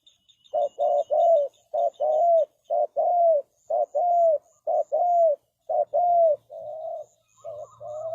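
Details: Decoy spotted dove cooing to attract wild birds to a trap. A steady series of low, rounded coo phrases, short notes alternating with longer drawn-out coos about once a second, with faint high twittering behind.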